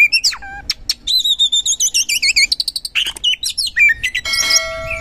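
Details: Oriental magpie-robin (kacer), lure recording to make lazy birds sing; clear wavering whistled phrases in a steady descending series, then rapid chips and sweeping notes ending in a harsh buzzy burst.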